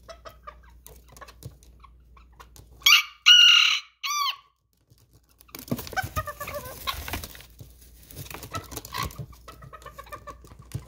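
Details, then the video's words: Miniature Serama chicken in the early morning, giving a loud, high-pitched crow broken into three short harmonic bursts, followed by a pause, then scattered clucks and rustling noise. "Miniature Chicken Early Morning"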